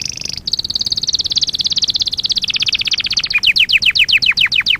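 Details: Canary song from a training lesson recording for young canaries: a fast, even high trill of rapidly repeated notes, then a series of sharp descending whistled sweeps near the end, with only faint background hiss.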